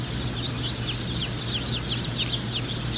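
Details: Cinnamon Queen baby chicks peeping together: many high, thin, downward-sliding cheeps overlap steadily over a constant low electrical hum.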